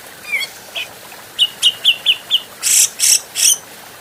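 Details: Adult Grey-cheeked bulbul training recording: a downslurred whistle, then five sharp, high chirps about a quarter second apart, ending in three loud, harsh, rasping notes.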